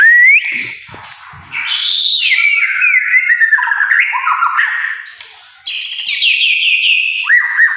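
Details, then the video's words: Loud varied song from a white-rumped shama: a rising whistle, soft clicks, then a long run of slurred, warbling notes that jump abruptly higher before falling to short downward whistles. "murai batu macet langsung respon..!!"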